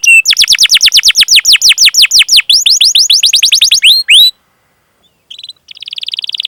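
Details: Canary song with 'cuit cuit' chirps and rolls, used to encourage reluctant or young canaries: about four seconds of rapid falling whistled notes, a pause, then a faint trill begins.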